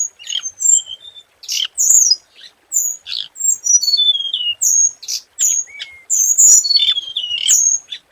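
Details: Scarlet minivet singing as a lure bird: high, thin whistled notes and sharp chirps, some gliding downward, in short bursts separated by brief pauses.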